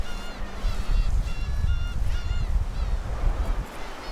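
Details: Several Black-tailed Gulls give harsh, nasal, mewing calls that overlap and repeat about twice a second, over a steady low rumble of wind or surf, on Dokdo in breeding season as incubating gulls attack nest intruders and fight over territory.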